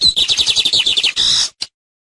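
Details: Lined seedeater, known as tucero, in a short teaching-song phrase: a quick series of high chirped notes running into a dense buzzy trill, then one last short note.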